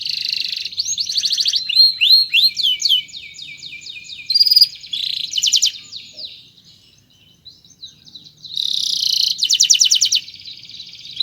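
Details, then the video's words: Canary singing long chirping phrases as a master song for other birds: dense rattles, cascades of sliding whistles, a quieter pause, then renewed loud rapid trills. "SUARA BURUNG KENARI⁉️ Cuit cuit Panjang COCOK untuk Masteran PAUd"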